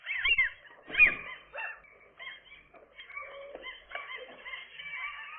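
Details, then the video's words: Gull chicks on the day they finally become airborne, calling in a quick irregular series of short, thin, whining yelps with harmonic overtones, some notes rising or wavering, louder bursts early on then softer continuous calling. "seagull chicks, airborne day"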